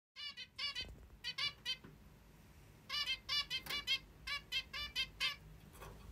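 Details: A pet zebra finch, described as a plump beauty, greeting the morning with short nasal, harmonic calls given in quick pairs and clusters, with a busy run of rapid calls in the second half.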